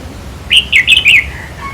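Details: A single cheery four-note phrase from a red-whiskered bulbul, followed by a faint trailing whistle. The song is used in decoy trapping to excite caged birds.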